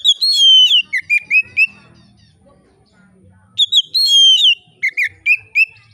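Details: Oriental magpie-robin in full, relaxed song used to spur other magpie-robins to sing. Two bursts of rich, varied whistled phrases with slurred and falling notes are split by a quiet pause of about two seconds, with faint low rumbling.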